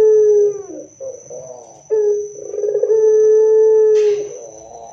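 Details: Barbary dove song meant to draw replies from other doves: a long hollow coo, a soft rolling phrase, then another extended burr-and-coo that tails off into a short descending note. A brief hiss and a thin constant whine are also heard.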